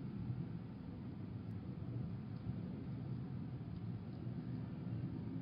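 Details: Continuous low rumbling, wind-like noise near a peregrine falcon nest with no animal calls.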